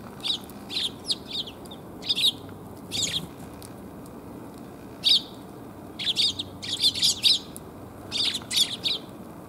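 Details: Eurasian tree sparrows coming to be fed, recorded on 1 January 2022 on the way home: bright short chirps in loose bursts, several quick notes clustered together then pauses, repeated through the recording against steady low background hum.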